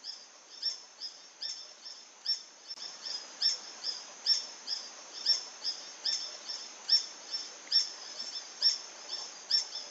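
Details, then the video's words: Green hermit (Phaethornis guy) calling with rapid, high-pitched squeaky notes, roughly one or two per second in a fairly even series, growing louder after the first few seconds, with soft hiss behind. "Green Hermit (Phaethornis guy)"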